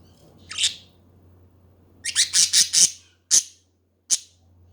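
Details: Budgies chattering, heard as a short buzzy squawk, then a fast run of four harsh scratchy notes, followed by two isolated sharp chirps, with a faint low hum underneath.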